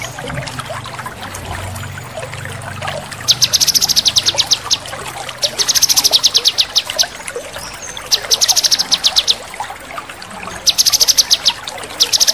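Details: A male cucak kinoi delivers sharp, rapid chattering bursts, high-pitched and evenly ticked, repeated every few seconds over a soft background hiss of trickling water.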